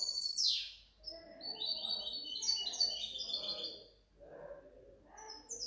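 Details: Goldfinch hybrid from 2019–2020 opening with a loud falling swoop, then a chattering, tinkling twittered phrase; softer low rustling or background noise fills the pauses before brief high notes return.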